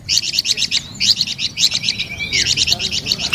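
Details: Rapid, bright chirped song of a flamboyan bird, described as melodious and lively, with notes in quick groups and a falling glide near the end.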